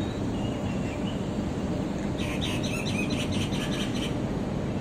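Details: Myna recorded April 24, 2023, giving a quick burst of harsh, chattering notes for about two seconds midway, over a steady low rumble of traffic or wind.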